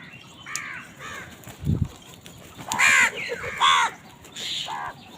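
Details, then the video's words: Crows fighting over food give harsh, hoarse caws, several overlapping in quick bursts, some calls doubled and louder near the end, over a steady outdoor background hiss. "কাকের ডাক Crows fight for food Crow Sound"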